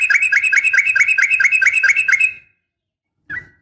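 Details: Sharp fighting call of a female yellow-vented bulbul calling a male, played to make bulbuls respond; one fast, even run of about fifteen hooked, bubbling notes, followed by a single short chirp after a pause.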